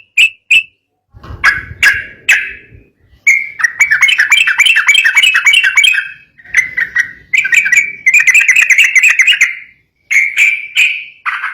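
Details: Sooty-headed bulbul in emotional, agitated song that provokes rival birds: scattered sharp notes give way to long runs of fast, chattering warbles separated by brief pauses, with faint low rumbling early on.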